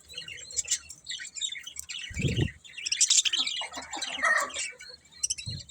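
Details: Several pet budgerigars chirping together, a dense mix of quick high warbles, clicks and squeaky notes with brief low thumps near the middle and end.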